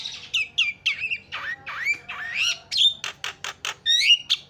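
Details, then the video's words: Jalak starling chatter used to goad other starlings into singing: a continuous series of squawky slurred notes, many sliding down then up, ending with quick clicks and a few high whistles. "SEKALI PENCET JALAK LANGSUNG PADA CEREWET"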